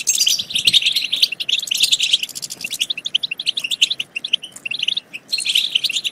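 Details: European goldfinch batbata, used to push goldfinches to sing and mate: a rich, rapid twittering phrase, then rhythmic chirps in quick succession, and a closing burst of tinkling notes.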